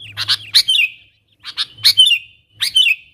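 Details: Sooty-headed bulbul summoning wild companions as a lure; three short bursts of clicks followed by a downward-sliding chirpy flourish, spaced about a second apart, over a faint low hum.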